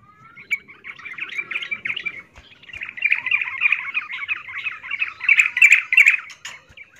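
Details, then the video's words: Breeding-condition female yellow-vented bulbul calling its mate: long, unbroken buzzy chattering with grating notes, rising in loudness toward the end with a few sharp clicks. "Trucuk Betina memanggil jantan MIYIK Birahi Tarung"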